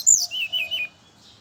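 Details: Brown-chested jungle flycatcher singing in the morning as a lure for its own kind: one high sharp note followed by three or four lower, slurred whistles in a quick descending run.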